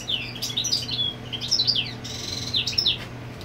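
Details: European goldfinch defending territory as the female sits on the nest: looser, softer twitters mixed with a buzzy nasal rasp and a few sweeping notes, over a steady low hum.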